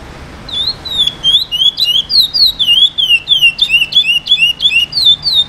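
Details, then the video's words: Chestnut-bellied seed finch, an 8-month-old brown (pardo) bird just starting to sing, gives a clear, flowing string of high whistled notes slurring up and down, about three a second, over a faint low hum. "Curio praia grande super classico"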